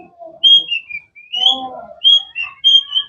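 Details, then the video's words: Melodious whistled phrases from a cendet (long-tailed shrike): clear sliding whistles repeated in short groups, mixed with softer lower warbling notes. "Bird chirping sounds"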